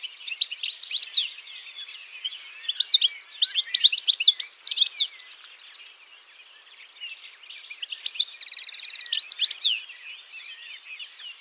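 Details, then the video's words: European goldfinch song: fast jangling twitters and buzzy trills in a dense high run lasting about five seconds, a pause, then another shorter twittering phrase with a buzzy trill near the end. "BIRDS VOICE : The European Goldfinch Bird"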